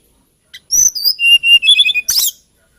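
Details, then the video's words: Hill blue flycatcher, called tledekan gunung, singing a sweet lilting phrase of clear descending whistles, a lower sustained note, then a quick twittering flourish. "TLEDEKAN GUNUNG KICAU MERDU"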